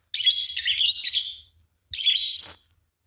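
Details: Singing from a pair of green Fischer's lovebirds: one long chattering, buzzy chirp lasting over a second, then a shorter harsh chirp ending in a click.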